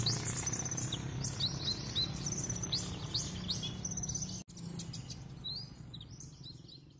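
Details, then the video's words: Sunbird in a cage singing vigorously through its learned repertoire: rapid high chirps, rising slurs and short trills, with a sudden gap midway and low background hum. "Kolibri Ninja Gacor bongkar isian"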